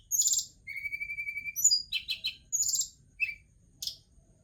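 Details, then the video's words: Tledekan gunung, a forktail, giving a high, varied song: sharp bursts of chirps, long steady whistled notes, a quick triple of clipped notes, then scattered single calls. "Tarian indah Tledekan Gunung"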